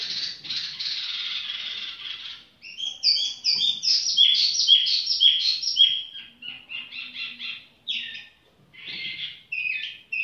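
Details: Tiểu mi bird singing at an easy pace, opening with a dense buzzy rattle, then quick chattering notes and short whistled phrases that fade out and return near the end.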